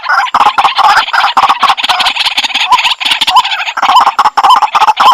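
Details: Rapid, rasping chatter from a white-breasted waterhen, dense harsh notes tumbling close together, with short rising croaks coming through toward the end.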